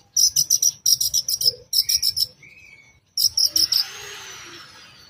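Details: Long-tailed shrike lure song in the toet toet style with added fill notes, meant to provoke other shrikes: quick bursts of harsh, high, rattling notes in rows of four to six, broken by short pauses and a thin rising whistle.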